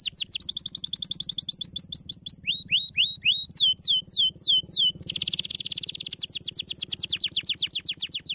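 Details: Canary song intended to get lazy canaries singing: fast high trill, a few separate falling whistles, a dense buzzy roll, then a long series of rapid repeated slurred notes.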